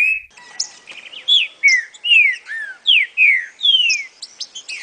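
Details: Green-winged saltator in 'boca mole' song style, for teaching a young bird: a series of clear, falling whistled notes, roughly two per second, mixed with higher chirps and short trills.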